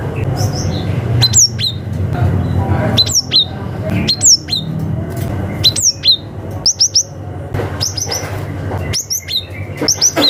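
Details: Cinereous tit from the wild forest calling rivals, meant as a lure for young wild birds. Crisp, high downslurred notes in quick bursts of two or three, separated by short pauses, with a low hum beneath.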